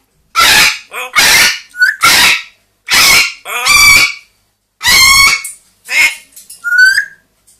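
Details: Screams from two pet parrots indoors, a two-year-old grey parrot and a one-year-old Amazon parrot: a rapid series of loud, harsh, raspy shrieks, some with nasal honking tones, ending in a rising whistle.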